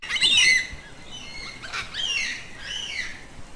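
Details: Yellow-tailed black cockatoo, a social bird of southeastern Australia that uses its call to keep in touch with its group; harsh, squawking calls rich in harmonics, a loud burst at the start followed by two softer, drawn-out notes.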